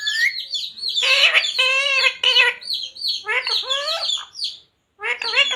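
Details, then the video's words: Talking parrot mimicking human words like radhe radhe, sita ram or mummy papa; a whistled rising note opens, then several rich, nasal word-like phrases follow, a short pause, and a final burst of speech-like sounds. "Parrot talking radhe radhe | Parrot talking jai shree ram | Parrot talking sita ram"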